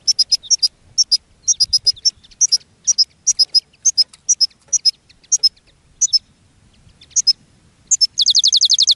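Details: European goldfinch in a cage singing to attract other goldfinches: steady series of short bright twittering notes in quick pairs, ending in a fast dense rattling trill.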